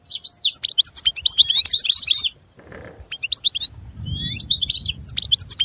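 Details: European goldfinch song: quick twittering phrases of high chirps and trills, broken by a short pause and some low rumbling noise, then resuming with bright liquid notes.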